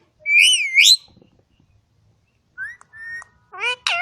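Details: Green ring-necked talking parrot at a farm in Quetta gives a loud, bright, wavering double whistle, a pause, then short flat whistled notes and a rippling burst of chatter.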